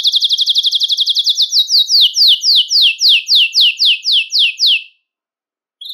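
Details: Belgian canary song meant to stimulate males and bring females into breeding condition: a very fast trill gradually slows into separate, longer descending buzzy notes, then stops, followed by a brief new note.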